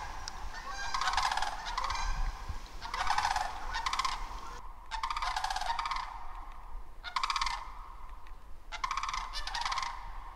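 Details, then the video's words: Canada geese by a creek and marsh in the Tongass forest of southeast Alaska honk in harsh, nasal bursts, about one every two seconds, over a steady low rumble of wind or water. "Canadian Geese audio"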